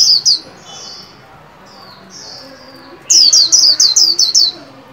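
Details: White-eye kept in a cage and trained to sing for the new year, giving two sharp high notes, soft thin whistles, then a rapid run of seven or eight bright descending whistled notes.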